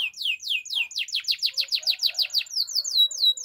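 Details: Belgian canary singing in the morning: a rapid, regular series of bright descending whistled notes, five to six per second, easing into lighter, softer sweeps.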